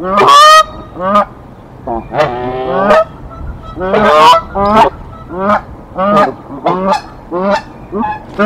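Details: Canada geese fighting off an intruder goose at their Decorah nest, 1 April 2024; a steady string of harsh, rising honks about one every half second to second, loud throughout.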